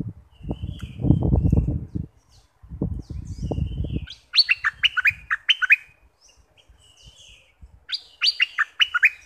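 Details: A southern Thai bulbul, played to excite birds, gives quick, bubbly phrases of bright descending whistles in two bursts a few seconds apart, after low rumbling bursts of noise.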